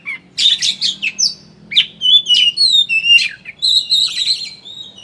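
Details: Oriental magpie-robin, kacer, giving ngeriwik chatter as a lure to make birds sing openly: rapid harsh chattering notes, a slurred whistle, then varied warbled phrases and a trilling buzz at the end.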